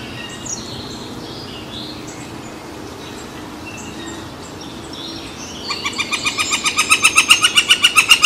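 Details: Woodpecker near San Francisco Bay, July 18, 2023. Faint distant chirps of other birds over a low hum, then a loud rapid series of sharp repeated notes that speeds up and grows louder during the final few seconds.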